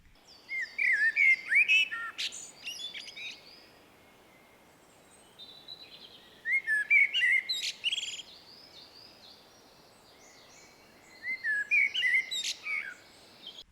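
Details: Common Blackbird singing three unhurried phrases, each a low mellow whistled warble breaking into a high squeaky twitter, separated by pauses of about four seconds; slower spacing and more joyful tone than a mistle thrush.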